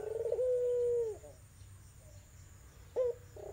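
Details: Melodious Barbary dove coo, Iraqi or tangerine type, meant to coax a dove that has stopped calling: a long, level, low hum fading away, a pause of nearly two seconds, then a short sharp note and the start of another coo.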